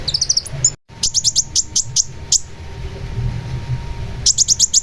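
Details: Long-tailed shrike giving rapid trains of sharp, evenly spaced high chips, a brief gap, then more chip series near the end.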